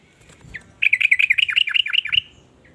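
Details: Varied song of a sooty-headed bulbul that sets other bulbuls singing: a single short note, then a fast warbling run of about a dozen liquid, up-and-down whistled notes lasting just over a second, over faint low background rumble.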